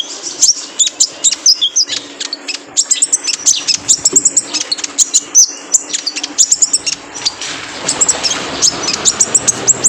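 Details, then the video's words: Training recording of a male kolibri ninja sunbird for caged birds: a dense, nearly continuous stream of very high, shrill chips and twitters, rapid and busy, with brief gaps throughout. "PANCINGAN KONIN JANTAN BIAR GACOR"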